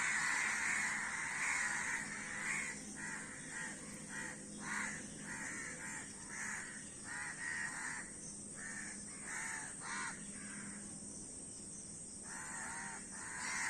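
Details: A gathering of crows cawing repeatedly, rough nasal notes in irregular clusters, louder at the start, pausing briefly near the end before resuming, over steady hiss and faint hum.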